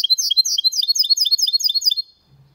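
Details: Clean Málaga-style song from a goldfinch × canary hybrid, a two-second flurry of fast, ringing twitters and sweeping high notes, followed by a faint low hum.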